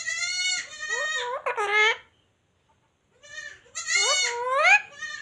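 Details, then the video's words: Talking parrot with a Hindi-speaking household, said to say "papa": two bursts of nasal, harmonic, speech-like squawks, the first about two seconds long with wavering notes, then a silent pause and a second rising, wavy burst. "parrot talking sound in hindi"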